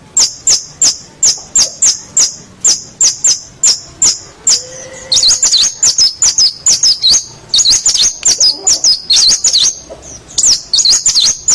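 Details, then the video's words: Master recording of a local champion long-tailed shrike: high sharp notes repeated steadily about twice a second, then a brisk jumble of twisting whistled phrases and chips. "Kicau Masteran Cendet Master Pentet Juara Cendet Lokal Oke"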